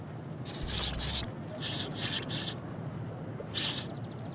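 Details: Young fledgling sparrow begging from its mother from morning till night, though able to peck food itself; very high, hissing, noisy shrieks in bursts, a double burst then three in a row and one more, roughly every half second.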